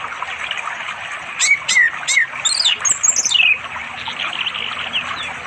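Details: Orange-headed thrush calling a female to mate, late afternoon beside a forest river in East Java, phone recording; a few short whistled notes then slurred, falling high phrases over constant rushing water.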